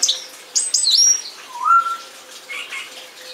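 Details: Song thrush singing: a run of varied clear whistled phrases, high sweeping notes then a lower drawn-out whistle, with a faint steady low tone underneath.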